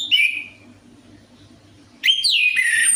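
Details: Orange-headed thrush song used as a lure to coax a reluctant bird into singing: a high whistled phrase sliding down, a pause, then a loud rich burst of tumbling, varied whistles, over a low steady hum.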